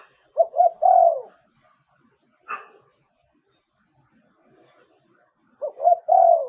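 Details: Thai spotted dove kept as a decoy, giving a low three-part coo, a single brief higher squeak-like note, then another three-part coo after a silent gap.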